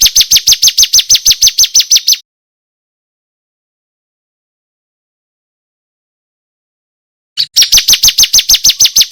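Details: Bar-winged prinia of the 'kristal' variety, a loud, clear master recording for songbird contests: long runs of fast, evenly repeated high falling notes, broken by a five-second pause before the series resumes.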